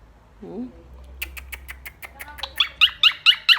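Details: A pet blue Quaker (monk) parakeet chatters to its friends: a low murmur, then a run of sharp clicks quickening into harsh, squawky chirps about four times a second, rising in loudness.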